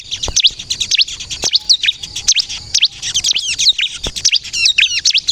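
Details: Bar-winged prinia, crystal type, in vigorous song used to provoke replies: rapid high chirps and descending slurred whistles repeated in fast sequences, with a few sharp taps.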